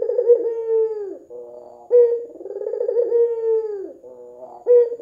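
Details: Red-eyed white dove calling as a lure for other doves: two repeated coos, each opening with an abrupt accented note followed by a vibrating, gently descending drawn-out phrase and a softer trailing murmur.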